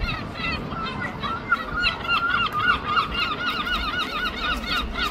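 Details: Herring gulls in London trade loud, nasal, yelping calls in a fast overlapping series, several per second, over a low city rumble.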